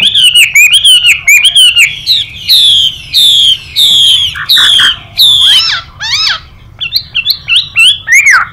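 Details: Chinese hwamei in contest song with a female's hissing call: quick chattering notes, then long falling whistles, then twisting, rising and dipping phrases.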